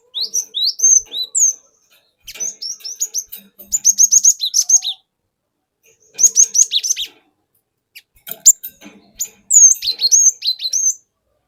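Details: Lure song of a wild-caught forest cinereous tit in a ngeplong style with wucit wuit phrases and long rolls: high, slurred whistles followed by rapid bursts of repeated sharp notes, in about five phrases separated by short gaps.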